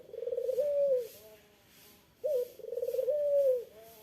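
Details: Eurasian collared dove (puter) calling to provoke a rival's reply: two low cooing phrases, each a quick rolling trill flowing into a longer smooth coo that falls at the end, separated by a short pause.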